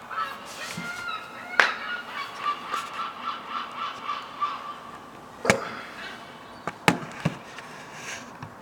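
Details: Gulls on a rooftop, where a mother feeds her fluffy young, give a run of nasal, slightly honking notes, about two or three a second for several seconds, followed by a few sharp knocks or taps.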